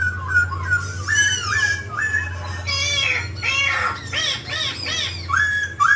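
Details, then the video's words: Mutant grey laughingthrush performing song and dance: loud varied phrases of upslurred whistles, harsh rich notes and rapid bursts of rising calls, with a steady low hum throughout. "Chú chim khứu xám tro đột biến hót múa cực đẳng cấp"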